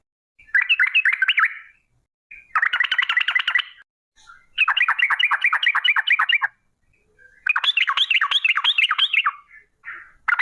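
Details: A yellow-vented bulbul's long ropel song, played to prompt bulbuls to sing, comes in four dense bursts of fast chattering trills, each lasting one to two seconds, with short quiet gaps between.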